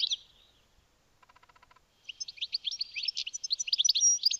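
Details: A pair of European goldfinches, with a house sparrow also present: a short high note, then a buzzy pulsed series lower down, then a rapid, bright twittering run of high tinkling notes over the last two seconds.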